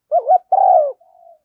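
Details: Spotted dove decoy phrase, a female used for exciting decoy birds: a quavering rising note, then a long mellow burry coo, trailing off into a faint soft hum.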